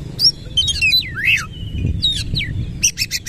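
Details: Vigorous Oriental magpie-robin song with rough fill-ins, tail spread: a sweeping down-up slurred whistle, several short looping whistles and harsh high chips at the end, over low rumbling noise.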